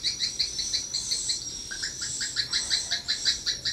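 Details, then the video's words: Swiftlet lure sound at a small swiftlet house: evenly spaced, bright double-toned chirps, about four to five a second, with a short run of lower rising notes midway. "rbw mini walet respon joss"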